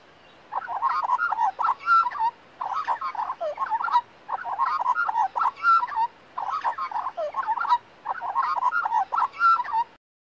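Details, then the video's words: Young female Australian magpie, raised from a chick by a family, flying down to sing beside her carer resting in a garden in Australia; mellow warbling, gurgling phrases in five bursts of about one and a half seconds, separated by short pauses. "Australian Magpie Singing"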